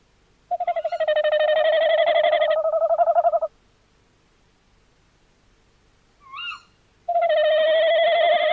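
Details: Tawny owl, 11 January 2026: a three-second quavering note, a pause broken by a brief rising squeak, then another long tremulous note starting over a faint low hum.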